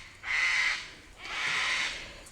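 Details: Cockatoos around a tropical vegetable garden and chicken coop, calling all day, give two long, harsh, raspy screeches, each about half a second to a second, separated by a brief pause.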